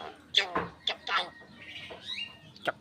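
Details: Javan myna song packed with cough-like mimicry: a quick run of harsh, grating notes and clicks, then a thin rising-and-falling whistle, closing with another rough burst.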